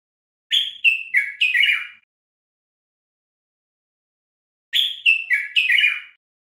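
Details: A Common bulbul sings in a teaching recording for captive Moroccan bulbuls: the same four-note whistled phrase twice, about four seconds apart, each stepping down in pitch and ending in a warbled note, with silence between.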